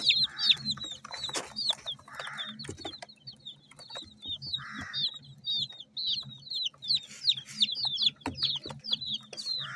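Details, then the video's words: Feeding chicken chicks, multicoloured, give scattered high peeps in bursts, some sharp clicks and pecking scrapes between them, over a low steady hum. "MURGI HEN CHICKS CHIRPING SOUNDS!!!"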